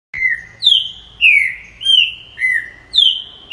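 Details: Green-winged saltator singing loud, clear whistled notes, each sliding slightly downward, delivered in a steady run of about six phrases with short pauses between them.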